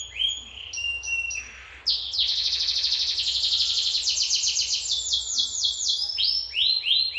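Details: Lively canary singing in Lampung: short whistled notes and a brief dip, then a long rapid rattling trill, closing with repeated rounded chirps at a quick pace.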